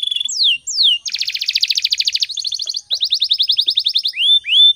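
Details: Lively morning canary song meant to train other birds: two upswept whistles, a long rapid buzzy trill, a second trill, and rising whistled notes to close.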